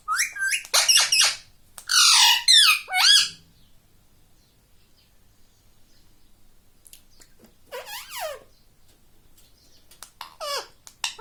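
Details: Pet rose-ringed parakeet talking, said to be saying "mummy": bursts of shrill, harmonic sliding syllables in quick runs, then a long pause before more squeaky, rising and falling notes near the end.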